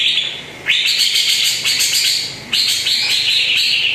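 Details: Greater green leafbird singing as a lure for a bird that rarely sings: two bursts of rich, rapid warbling at a high pitch, each starting with an upward sweep, separated by a short pause.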